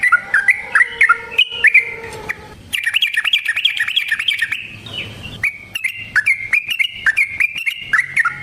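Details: Yellow-vented bulbul song for luring birds into traps, opening with slurred whistles and a lower sustained tone, then a fast chattering roll and bouncy repeated phrases.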